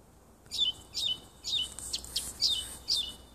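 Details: Nightingale singing in a small wood near a house on 30 June 2015: short high chirped notes with downward flicks, repeated about twice a second, with faint background hiss.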